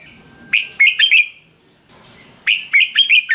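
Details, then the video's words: Red-whiskered bulbul, caged bird, song for exciting or training caged birds: two rapid phrases of lively, liquid whistled notes, five or so per phrase, with a pause of about one second between. "เสียงนกกรงหัวจุก สำหรับต่อ หรือ เปิดให้นกคึก เสียงเพราะๆ"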